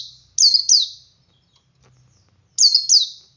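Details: Male Oriental white-eye singing ngalas to lure other white-eyes into song: two paired bursts of loud, very high, falling twittery notes about two seconds apart.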